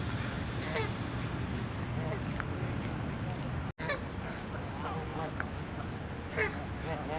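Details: Canada geese honk angrily while arguing, fighting and charging at each other, harsh nasal calls overlapping from several birds, over steady low rumbling background noise.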